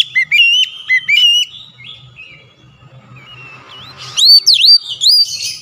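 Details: Agitated Oriental magpie-robin (kacer) showing off its song content: clear whistled notes and slurs in a quick opening burst, a quieter warbling middle stretch, then loud swooping whistles to close.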